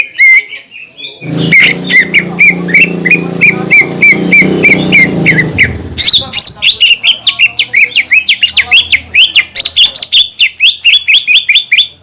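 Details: Greater green leafbird song used as a lure to provoke other leafbirds into singing: loud repeated whistled slurs and chattering notes, preceded by a low rumbling background noise during the first half.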